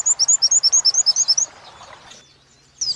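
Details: Oriental white-eye in a training recording for captive birds, wit-wit style joined with kuntilanak style: a fast run of about a dozen thin, high, sliding whistled notes, then a pause and one more note.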